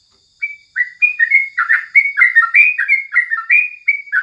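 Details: Morning song of a sooty-headed bulbul used for tutoring: a continuous run of quick, liquid chirps that slide up and down, about three notes per second, with a faint constant high whine behind.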